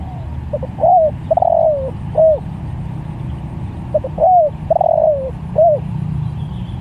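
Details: Spotted dove calling to other doves, repeating a phrase twice: soft double lead-in notes, arched hoot, long descending coo, then a closing hoot, with steady low background hum.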